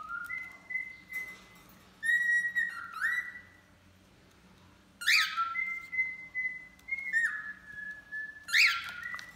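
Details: Male and female cockatiels kept as pets sing while bathing: clear, steady whistled notes that hold level then step up or down, with several rising-and-falling upsweeps, given in two bursts separated by a quiet gap.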